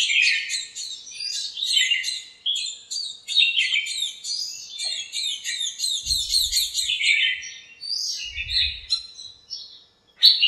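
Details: In a backyard lemon tree full of birds on a cool, bright morning, a rapid chorus of sharp high chirps and twitters runs almost continuously, interrupted by a couple of soft low thuds.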